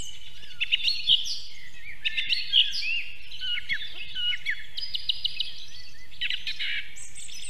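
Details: Osprey at its nest in South Estonia, Võrumaa, 2022, near a river and fish farm: loud, harsh whistled calls with a strained, buzzy edge, given in uneven bursts of about forty a minute over a low background hum.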